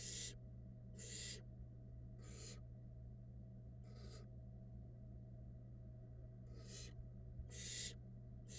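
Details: Barn owl nestlings, a brood hatched in February 2022, call while the female brings food on a nest camera: six rough, hissing bursts at uneven intervals, some louder, over a continuous low electrical hum.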